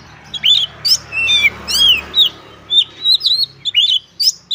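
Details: White-rumped shama (kacer), caged, singing gacor with varied mimicked phrases: rapid, varied sequence of clear whistles, chirps and sharp downward slurs, notes coming about every half second over steady low background noise.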